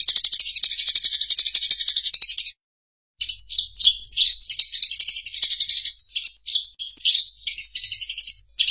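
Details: Eurasian tree sparrow in a recording made for training songbirds to imitate: a dense, buzzy, rapidly pulsed chatter for over two seconds, a short silence, then a run of sharp, high chirps in quick, uneven bursts.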